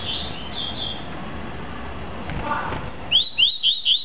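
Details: Tuí-tuí style song of a Double-collared seedeater: a few thin, drawn-out whistles, then a pause and a lively series of sharp upslurred notes repeated about four times a second, with constant background hiss.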